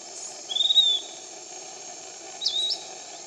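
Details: Piratic flycatcher, a canopy bird, at Iquitos, Peru: two thin, high whistled notes about two seconds apart. The first is drawn out and slightly falling, the second rises then drops. A steady hiss fills the background.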